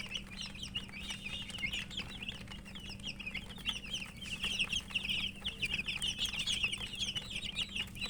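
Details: A group of murgi, or domestic chicken, chicks peeping as they feed: high, thin, rapid chirps in an unbroken chorus over a faint low hum.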